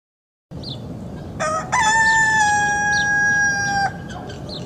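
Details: A rooster gives one full crow after a short silence: a brief rough opening note, then a long, loud, level, strongly ringing tone held for about two seconds before it ends abruptly. Faint hiss underneath.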